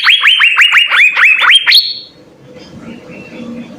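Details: Asian fairy-bluebird tutor song in vigorous full-fill-in style: nearly two seconds of fast rising whistles, about five per second, ending on a longer high note, followed by faint low background noise.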